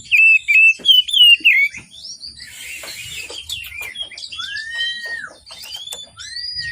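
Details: Oriental magpie-robin singing in the morning, used as a lure to prompt reluctant birds to sing. Loud warbled whistles open the song, followed by quieter varied chirps, a long downslurred whistle and a brief hissing burst.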